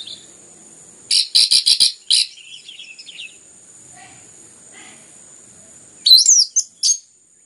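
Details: Orange-headed thrush singing as a stimulus for other birds: a run of about five harsh repeated bursts, a faint scratchy trail, then a short phrase of bright whistled notes near the end.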